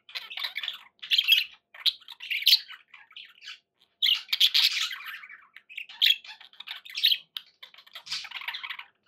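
Budgerigar chatter: bursts of high, scratchy warbling and squawky chirps, each lasting about half a second to a second, with short pauses between.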